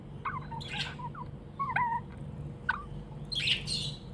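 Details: Budgerigar kept as a tame pet, chirping in a happy mood: short whistled and squeaky notes with gaps, then a harsher chirp burst near the end.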